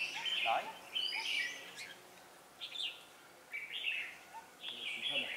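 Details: Red-whiskered bulbul decoy bird used for trapping on 4 December 2016, singing to challenge rivals: short bright warbled phrases, slurred and rising, given in bursts about once a second with brief pauses between.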